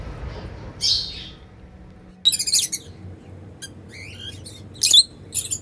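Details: Happy African lovebirds flying freely, giving scattered shrill chirps and squeaky buzzy notes in short bursts separated by quiet gaps, with faint low background hum.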